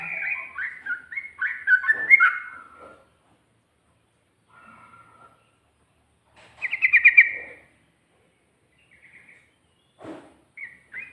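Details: Sooty-headed bulbul singing in ropel style with ngikluk and ngGARUDA variations: bursts of bubbly, warbled whistles early on, a loud rattling trill near the middle, then brief scattered chirps separated by silent gaps.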